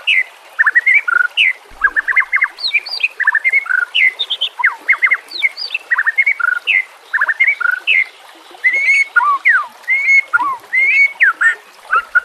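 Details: White-rumped shama song, a training recording for young birds: rich, varied phrases of clear whistles and rapid slurred notes, delivered in quick bursts with short gaps, continuous throughout.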